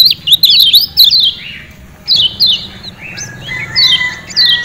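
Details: Kecial kuning, or Lemon-bellied white-eye, of Lombok singing as bait for kept birds: a quick flurry of high chirps, then separate descending whistled phrases spaced by short pauses, with a thin steady tone late on.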